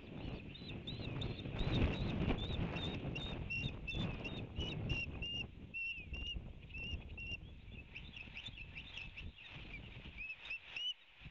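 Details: Osprey at a nest with three eggs in Savannah, Georgia, 19 March 2019, on a windy day as the male delivers a fish to his mate: steady short, sharp whistled chirps, about two a second, over strong low rumbling wind.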